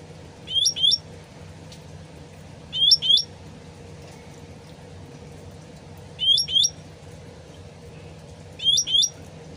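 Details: Original voice of a sooty-headed bulbul used as a lure to get birds to reply fast: quick paired upslurred chirps in four short bursts about two to three seconds apart, with gently trickling water underneath.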